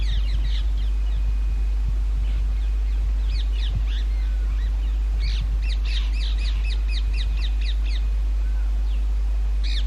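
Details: Indian ringneck parakeets breeding in summer in holes of an old railway bridge; repeated harsh screeches come in irregular volleys, densest in the middle, with a low continuous rumble underneath.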